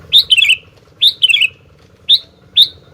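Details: Sooty-headed bulbul singing energetically: bright bubbly phrases of a sharp rising note followed by quick descending warbled notes, repeated about once a second, then shorter single rising chirps.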